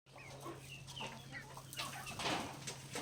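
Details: Backyard native chickens at feeding time, pecking grains: soft scattered clucks and short rising chirps over a steady low hum, with pecking taps toward the end.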